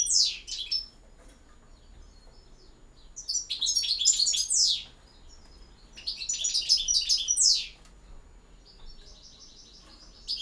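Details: A European goldfinch sings campero-style song, giving three dense phrases of high chattering twitters that end in a slurred, falling note, with roughly two-second silences between them.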